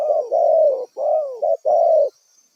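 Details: Decoy spotted dove taken from the wild for bird trapping, calling loud, close, mellow coos in quick succession, some notes bending upward before sliding down, against a faint continuous high tone.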